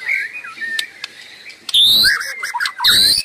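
A white-rumped shama sings a rich, varied run of clear whistles, broken by two loud, harsh bursts with sharp high notes, all in quick succession.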